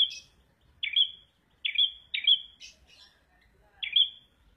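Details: Prinia known locally as red prenjak giving clipped whistled notes that stretch into a level tone, in pairs and singles, followed by soft high twitters and a quiet pause.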